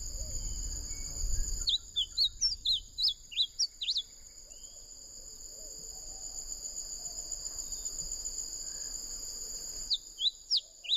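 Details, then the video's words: Bunting singing a rapid series of short up-and-down whistles for about two seconds, a long pause, then a few more similar notes, against a steady high insect buzz. "Passaro breasted Bunting"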